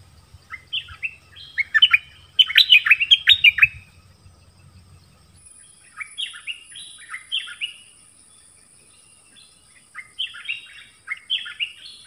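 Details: Forest-recorded decoy bird calling a mate on 13 January 2021 in Thailand, giving repeated short bursts of sharp, downslurred chirps and warbles, some phrases louder, with a low rumble in the first seconds and a faint thin high tone later.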